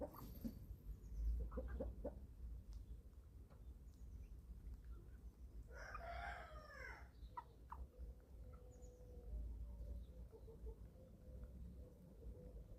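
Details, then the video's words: Eleven-week-old chicks at feeding time on a family farm in Germany: a few clucks early on, then one loud drawn-out harmonic call lasting about a second, followed by softer peeps against a low steady rumble. "11 Week Old Chicks Feeding Time – 28 Minutes of Relaxing Farm Sounds"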